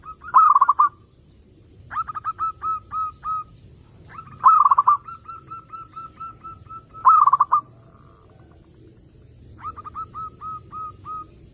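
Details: Repeated zebra dove song, clear and meant to lure other doves: loud bursts of bubbling stuttered coos alternate with softer trains of five or six short even notes, phrases recurring every two to three seconds.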